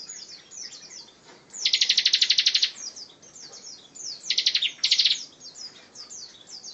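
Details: Bar-winged prinia in tight, rapid-fire 'tembakan rapat' delivery, for other songbirds to learn: a steady backdrop of high descending chips, with one long stuttering trill and two shorter repeated bursts later.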